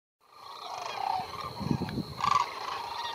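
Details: During migration at Whitewater Draw in southern Arizona, many sandhill cranes give rolling, trumpeting calls at once. The calls overlap in a steady chorus, with some low thumps and wind beneath.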